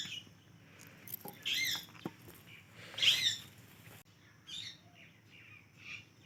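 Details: Pet parrot playing with a guava; a few short, squawky, rising calls and chirps around the second and third seconds, then softer chirps, with quiet rustling between.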